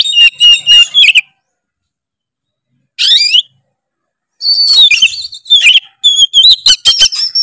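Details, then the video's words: Oriental magpie-robin singing a loud, varied song meant to provoke other males: rapid phrases of whistles, harsh chips and warbles, broken by pauses of one to three seconds. "kacer manapun pasti emosi denger suara kacer gacor ngeplong satu ini"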